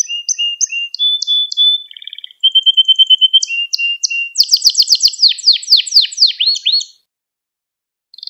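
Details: Domestic canary singing, recorded to train young birds: repeated short whistled notes and rolls, then a fast series of descending sweeps, followed by a second of silence before another phrase starts.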